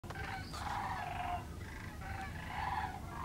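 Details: Sandhill cranes walking on the ice of the Platte River. Rolling, trumpeting calls with a rattly, vibrating tone come in two bursts, overlapping slightly, against a broad hiss of background noise.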